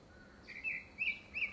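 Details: Grey-backed thrush in courtship song, seemingly before a second breeding: three clear whistled notes, each a short warbled flourish, spaced roughly a third of a second apart.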